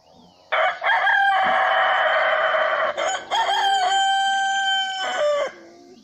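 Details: Domestic rooster giving a full crow lasting roughly five seconds, hoarse and strongly harmonic, holding a steady tone before a short break and a falling final note.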